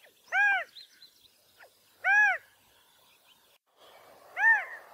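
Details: California quail mating calls: three loud arched, harmonic-rich notes, about two seconds apart, with faint scratchy sounds between them and a low rushing noise under the last note.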